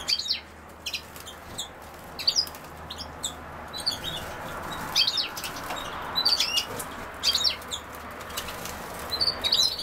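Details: European goldfinch (Carduelis carduelis), with sow thistle (Sonchus oleraceus), giving brief, high tinkling twitters in scattered bursts about a second apart over a steady background hiss.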